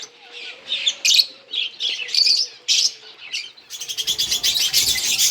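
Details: Lovebirds chirp while eating green food on August 4, 2024, in quick shrill overlapping bursts that end in a dense chattering run, with a faint steady hum underneath.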